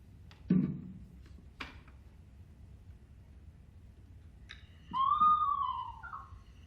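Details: Eastern screech-owl (Megascops asio), heard near a scout trail, gives a single smooth, mid-pitched whistled call just over a second long. It swells slightly, then drops in a small step, after room knocks and murmurs.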